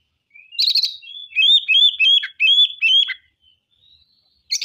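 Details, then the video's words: Oriental magpie-robin (kacer) singing loud, clear, slurred whistles in a repeated rising-falling pattern, opening with a brief harsh buzz and ending with another. "MATERI KASAR.KACER BONGKAR ISIAN. KACER GACOR"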